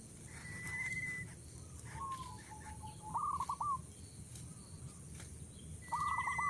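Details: Coucal chicks being fed at the nest; a few short bursts of quavering notes a few seconds apart, with a clear level whistle from another bird and soft background hiss.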